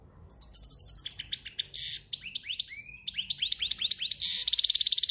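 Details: A European goldfinch in breeding season sings campero song, a dense stream of quick chirps, down-slurred notes and a harsh buzzy trill at the end, all high and rapid.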